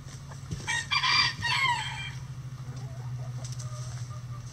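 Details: Backyard chickens going about their daily activities; a loud, harsh rooster crow of about a second and a half rises and falls, followed by softer clucking over a steady low hum.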